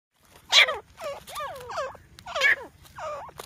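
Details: Grey francolin calls made while fighting: harsh, wavering, harmonic-rich notes that bend up and down, given in short bursts about every half second, with a couple of louder screechy notes standing out.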